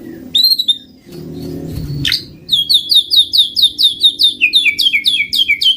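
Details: White-rumped shama song for luring birds: a few whistles and a soft rustle, then a fast run of repeated short, bright whistled notes, more than two a second.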